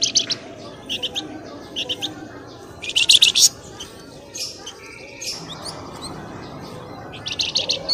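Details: Birdsong meant to lure birds from bushes: rapid bursts of high, scratchy chirps separated by pauses, with one brief steady tone and a quiet, noisy background.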